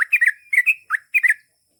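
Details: Sooty-headed bulbul giving a brief burst of warbling, bubbly notes in a few quick phrases, one slightly longer slurred note in the middle, then silence.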